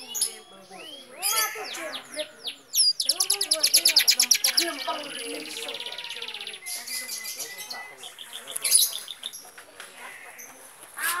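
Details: Long-tailed shrike singing a varied song of sweeping, falling whistles, then a fast buzzy trill of repeated notes, followed by scratchy chatter and a few high notes.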